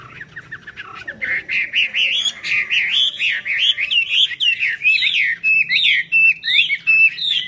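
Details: Chinese hwamei performing its fanned-wing song: begins with soft quick notes, then builds into loud, varied whistled phrases with sharp twisting sweeps, repeated rhythmically.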